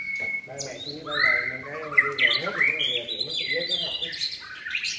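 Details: Caged White-rumped shama trained for singing contests, in its third season, giving a rich run of varied whistled notes, slurred rising and falling phrases with some higher chirps, while a man's voice talks steadily underneath.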